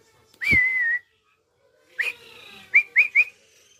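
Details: White-rumped shama, tame yet ready to fight rival birds, gives one long steady whistle, then after a pause a rising note and three short quick upslurred whistles in a fast row.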